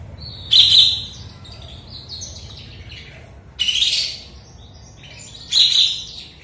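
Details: Sooty-headed bulbul just out of moult, singing actively again after a spell of silence; three loud bright bursty phrases, each about half a second long, come roughly every two and a half seconds over a low steady hum.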